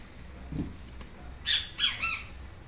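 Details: A soft low thump, then a yellow-crested great kiskadee gives one loud, harsh three-note call with a falling last note.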